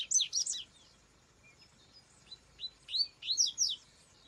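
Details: Rusty-collared seedeater singing in the wild: two bursts of quick, sharp, chirpy notes sweeping up and down at high pitch, each under a second, with a few thin single notes between them over quiet background noise.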